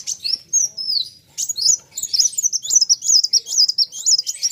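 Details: Sunbird called kolibri wulung matching an equally vocal opponent; wavering high whistles give way to a rapid, continuous run of sharp zigzag notes.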